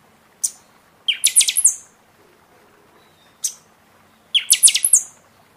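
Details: Buffy-fronted seedeater singing much in season to encourage birds after feather moult; high single chips alternate with two quick phrases of shrill, rhythmic whistles, each closing on a drawn-out thin high note.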